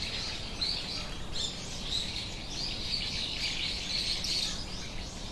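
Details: Wild Australian king parrot of eastern Australia giving a run of short, high chirped notes in quick succession, with a steady hiss of outdoor noise beneath.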